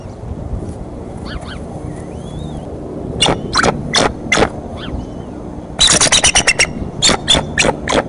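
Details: Decorah eagle nest, 30 March 2015: a mother eagle's sudden outburst surprises both eaglets. Faint high chirps give way to loud, spaced squawks, then a rapid burst of harsh chattering notes.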